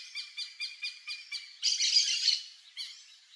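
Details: Bare-faced ibis giving a run of clipped, nasal notes about every quarter second, then a loud rasping burst of overlapping calls, with a few softer notes trailing off.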